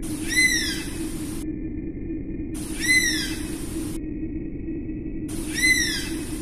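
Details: Oriental honey buzzard calling three times, each a short clear whistle that arches up and down, spaced about two and a half seconds apart, with a constant low background hum.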